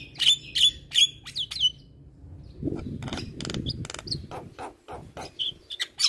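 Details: Javan myna tutor song for caged mynas that sing little: four clear piercing whistles at the start, then a jumble of rasping bursts and scattered chirps over low rumbling noise.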